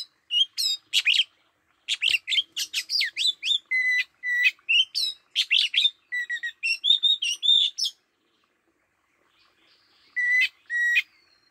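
An Oriental magpie-robin sings a rapid, varied run of sweet whistles, slurred notes and sharp chips for about eight seconds, pauses, then adds a brief final phrase.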